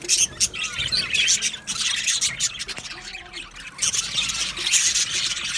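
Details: Colony of male budgerigars in an aviary, 8 December 2025: loud, overlapping chirps, squawks and scratchy warbling chatter in pulsing waves, with short lulls between bursts.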